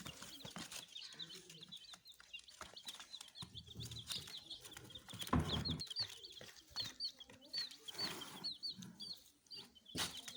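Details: Baby chicks peep in brief high chirps, sparse at first and then a denser burst of repeated sweeping notes in the later part, amid scattered clicks, thumps and rustling handling noise.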